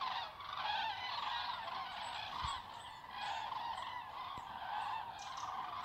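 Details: A flock of common cranes flying over the Darß region of Mecklenburg-Vorpommern, Germany, in October 2018 gives a continuous chorus of loud, rolling trumpeting calls, many birds overlapping without a break.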